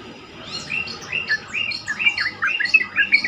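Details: Lure recording of a Sooty-headed bulbul, meant to get other bulbuls answering: a lively series of short, rising-and-falling chirped notes, growing louder and repeated several times a second.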